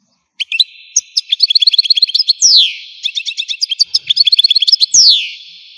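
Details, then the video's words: Algerian European goldfinch repeating its phrase twice: scattered high chips build into a rapid tinkling twitter, each phrase closing with a drawn-out descending slur. "تغريد الحسون قمة الابداع ! حسون جزائري"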